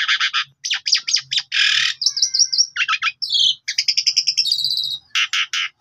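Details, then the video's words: Asian pied starling (Jalak Suren) sings a fast, varied medley of harsh chattering bursts, clear whistles and rising slurred notes, used as a lure and as song-tutor audio for other birds. "Pancingan Jalak Suren"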